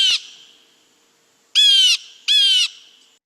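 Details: A Blue Jay gives its mobbing call, used to contact other jays and drive off predators such as hawks, owls, cats or snakes. Three harsh, nasal jeers: a brief one, then two longer raspy blasts about two-thirds of a second apart.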